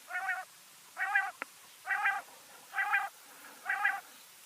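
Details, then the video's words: Quail repeating a hoarse, nasal note at an even pace, five calls in about four seconds, with a single tap heard after the second call. "Quail Sound 2 Hours High Resolution / بٹیر کی مست آواز"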